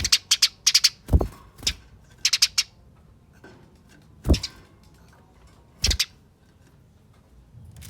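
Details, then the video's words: Eurasian tree sparrow fighting chatter used as a lure: short clusters of sharp chips alternate with loud low knocks and clatter, the calling sparse and broken. "Pancingan Gereja Tarung Nyerecet Speed Rapat Bikin Gereja Lain Ikut Bunyi Gacor"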